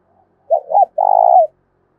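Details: A single close phrase from a spotted dove of 'thổ sấm' voice style, used to goad wild and decoy doves: two short rounded notes followed by one long, rolling, low coo lasting about half a second.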